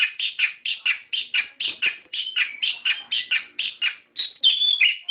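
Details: Lure song of an orange-headed thrush meant to set caged birds singing: fast, steady stream of sharp, bright phrases repeated about three times a second, ending in a higher whistled flourish, background silent.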